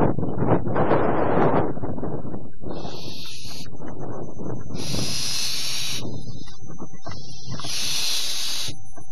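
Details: Almost grown barn owl owlets at a quiet dawn after a wet and windy night, 5th–6th October 2015: three harsh, breathy hisses, each about a second long, over heavy low scuffling and thumping movement.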